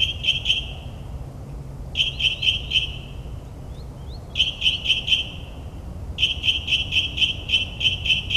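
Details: Nocturnal northern mockingbird song in New Jersey suburbs, copying other birds: four bursts of rapidly repeated high, sharp notes separated by short pauses, the last burst the longest, with faint thin whistles between phrases.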